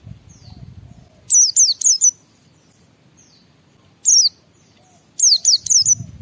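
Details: White-eye singing in ngalas style to prompt other white-eyes to sing: a run of four high, quick downslurred whistles, a single note, then another burst of four, over low background noise.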